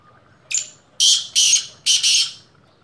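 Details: Black francolin, known locally as kala teetar, first season: a brief thin lead-in note followed by four harsh, buzzy, scraping notes delivered as two quick pairs, loud and clear above faint low background hum.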